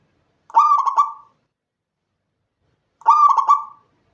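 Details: Night song of a local Indonesian zebra dove, a lure to prompt caged birds to sing: two short, broken cooing phrases roughly two and a half seconds apart, clean quiet background.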